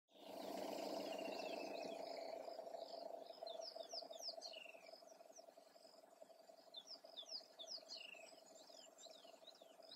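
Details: Male wattled starlings, breeding and non-breeding, give many quick, high, down-slurred chirps in a busy chatter over a steady low hum.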